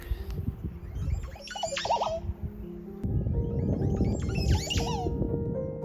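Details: Montezuma oropendolas, colourful birds in a tree in Mexico, give liquid, gurgling notes with sharp falling whistles in short bursts, over background music and low rumbling noise.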